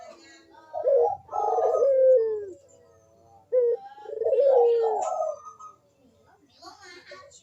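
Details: Barbary dove cooing vigorously in manggung style, used as a lure to prompt reluctant doves to coo: two rough, rolling coos, each a short note then a long descending purr, about three seconds apart.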